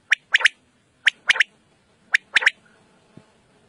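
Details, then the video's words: A quail gives a sharp, liquid three-note call, one short note then a quick double, repeated three times about a second apart against a quiet background. "Quail Sound Clear Sound"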